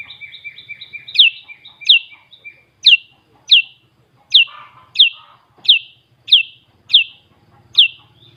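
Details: Sooty-headed bulbul from Klaten, Central Java, Indonesia, in full 'isian' song: a soft chattering run of paired notes, then a steady series of sharp, high, down-slurred whistles repeated about every two-thirds of a second, about ten in all.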